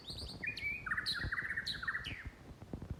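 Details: White-rumped shama singing a fast sequence of clear whistled notes, sliding up and down with sharp high flourishes, over a low background rumble.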